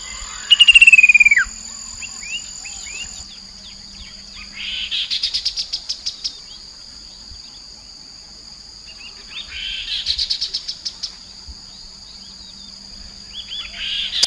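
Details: Chestnut-capped babbler lure sound recorded on the Mekong riverbank at Nakhon Phanom, Thailand, in 2021. A clear descending whistle opens, followed by bursts of rapid buzzy rattling near five and ten seconds, over a steady high insect drone.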